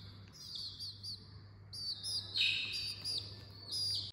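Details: Early-morning peeping of small chicks: short, high, downward-bending chirps in bursts of three or four, pausing and resuming, with a soft low hum in the background.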